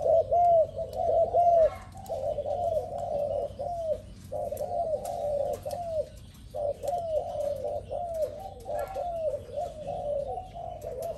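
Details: Spotted dove described as new and fierce, giving low, hoarse cooing notes run together in phrases of three to five. Short pauses separate the phrases, over a steady faint background hiss.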